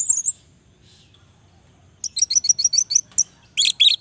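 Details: Orange-headed thrush song meant to stir reluctant males into singing: a short high note, a long pause, then a quick run of about seven evenly spaced bright chips and a final loud, rich flourish.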